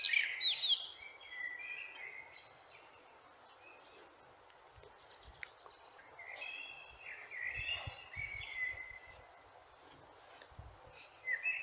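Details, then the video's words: Common blackbird singing: fluty, warbled phrases at the start, again around the middle and at the end, separated by quiet gaps, over faint low background rumble. "Das Lied der Amsel"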